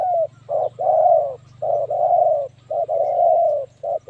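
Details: Spotted dove used as a decoy to lure wild doves for trapping, giving a short coo followed by a long, drawn-out coo, with the pair repeated about once a second and a low steady hum underneath.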